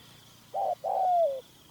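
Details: Captive decoy Spotted Dove used by hunters to draw a wild male into a trap, giving a brief mellow coo followed by a longer coo that slides gently downward, over a faint steady whine.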